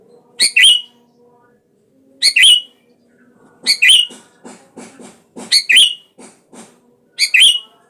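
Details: Lure call of a sooty-headed bulbul meant to provoke a rival to answer; strong double-struck harsh notes with a bright rising flick, spaced about every one to two seconds, with quieter chatter between.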